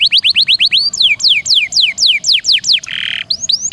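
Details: Training master recording of a canary, with long rolls and varied bursts. Quick rising notes give way to slower, deep descending whistled slurs about every third of a second, broken by a brief rasping buzz.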